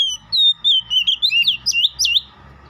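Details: Oriental magpie-robin starting with drawn-out pure whistles, then speeding into a chain of twisting, dipping whistled notes before stopping, part of a song said to make any magpie-robin sing back.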